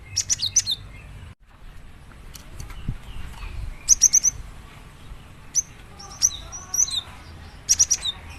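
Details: Java sparrow in song, meant to stir other Java sparrows to sing: groups of rapid, piercing ticks and high whistled notes spaced through the clip, separated by pauses with a soft background hiss.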